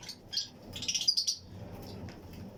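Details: Fischer's and Lutino lovebirds in a colony flight-cage aviary breeding setup, pairs chirping: a short cluster of shrill, high, rapid chirps bunched in the middle, over a low background hum.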